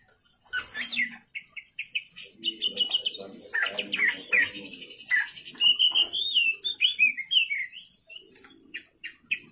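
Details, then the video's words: Oriental magpie-robin singing at night: short repeated chirps, then jumbled warbling, a long wavering whistle and spaced, clipped notes, with some low rumbling beneath. "pancingan kacer gacor malam hari"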